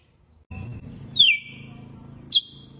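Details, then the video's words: Red-cowled cardinal giving its "açoite" (whip) song: two loud, clear, downslurred whistles about a second apart, over a low background rumble. "GALO DE CAMPINA CANTO AÇOITE"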